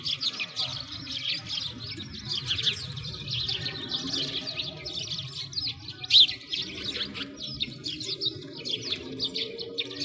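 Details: A flock of sparrows chirping in winter beside a frozen lake in Moscow, Russia; steady high twittering from many birds over a low rumbling background.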